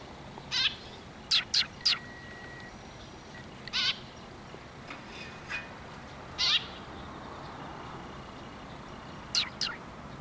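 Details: Sparrows drawing near to be fed at a Tenmangu shrine, October 2023; scattered high, clipped chirps, some in quick twos and threes, separated by pauses of several seconds amid steady hiss.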